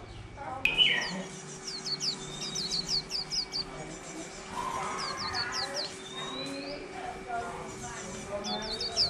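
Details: Wild-caught white-eye, caged a little over a month, singing in the cheo style with líu phrases: quick bursts of thin, high, falling twittered notes, several per second, broken by short pauses, over a steady low hum.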